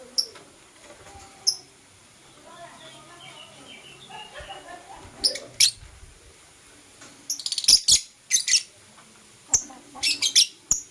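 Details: Morning chirping from kissing Blue Opaline and Euwing Opaline lovebirds: a soft jumble of low twittering notes, then rapid bursts of shrill, scratchy high chirps repeated several times in the second half.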